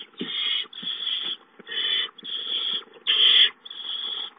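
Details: Hissing barn owl owlets in the nest on 19 April 2013, when an adult delivers a mouse at 8:19; six rough, broadband hisses follow almost back to back, each around half a second, with brief gaps.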